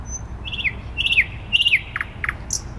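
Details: Song of a thrush nightingale in downtown Warsaw, May 2020: three descending slurred whistles in quick succession, followed by two hard clicking notes and a thin high note, against steady low traffic noise.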